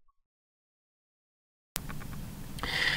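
Almost two seconds of silence give way to a steady rush of broadband noise with faint ticks and a hiss at the end, and no animal voice.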